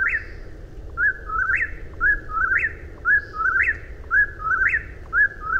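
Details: Eastern whip-poor-will singing its three-part whistled phrase, a short note then a rising, sharply upslurred ending, repeated about once per second in a steady rhythm over a low background rumble.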